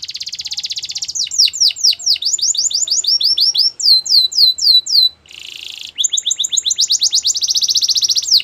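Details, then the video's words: Belgian canary singing at the start of the day: a high buzzing trill opens into quick repeated swooping whistles, a short rasping burst, then rapid trilled tours to the end. "Belgian canary singing every morning"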